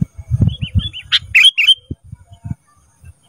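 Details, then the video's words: Ruby-throated bulbul, caged, recorded as training sound for cage birds: a few curled whistled notes, then a quick run of buzzy, rasping chatter over low knocking noises. "Masteran Kutilang Emas Mudah Gacor"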